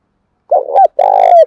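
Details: Spotted dove calling in the rural 'thổ' voice style: a short low coo followed by a longer, louder, slightly rasping coo that ends in a smooth falling tail.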